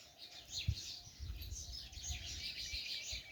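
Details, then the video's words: Birds chirping echo from inside a well: smeared, overlapping high chirps blur into a reverberant wash, with soft low thumps beneath. "Clear bird's chirping sounds echoing from well"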